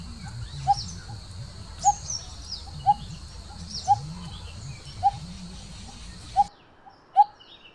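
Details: Coppersmith barbets, a pair; a steady series of hollow, single tonk notes repeated roughly every second, eight in all, over a low engine-like drone that stops near the end.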